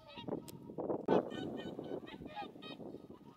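Whooper swans call in flight with a run of short, nasal, trumpeting honks, several birds overlapping in quick succession over a low background rumble.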